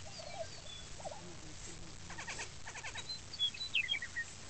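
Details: Male lesser prairie-chicken displaying on a lek near Woodward, Oklahoma: soft low hoots, then rapid gobbling bursts of stacked pulses, ending in high squeaky whistled notes over a low background rumble.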